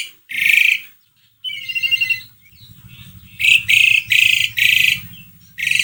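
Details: Asian pied starling singing in a lure recording meant to make a quiet bird sing: loud grating rasps alternate with a short clear whistled phrase, with rapid harsh bursts toward the end over a low steady hum.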